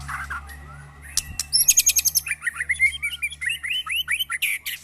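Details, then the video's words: White-rumped shama undergoing a mental test among neighbours' birds starts with a brisk high trill, then a flowing sequence of varied mid-pitched slurred whistles, some rising and some falling, over a low constant hum. "test mental burung murai batu bersama teman teman"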